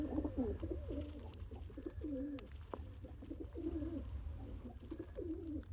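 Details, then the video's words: A father pigeon feeds its one-day-old chick by "pumping", with soft, low, wavering squeaky notes in quick uneven bursts over a steady low hum. "Pigeon Feeding Original Sound"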